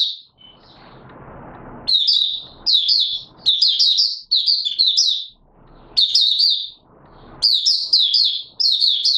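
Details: Oriental white-eye, locally called Mata Puteh Raja, in 'buka sing' singing recorded 24 March 2022: rapid high twittering bursts of warbled, jumbled notes, each about a second long, repeated with short pauses, with faint low rumbling noise in the gaps.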